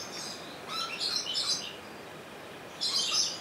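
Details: At Opole Zoo, a rainbow lorikeet filmed on a Sony HDR-XR160E gives shrill, buzzy squawks in a run of several notes, then a pause and one more harsh screech.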